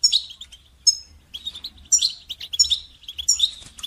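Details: Loud, lively goldfinch song meant to train songbirds, a dense stream of high twittering notes punctuated by bright, sharp chirps about every half second.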